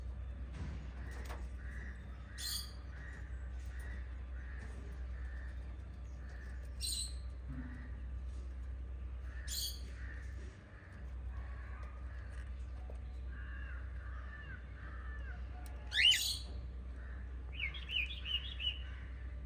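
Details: A family of five lovebirds gives sharp, high chirps over a steady run of softer, evenly spaced chirps and a low hum.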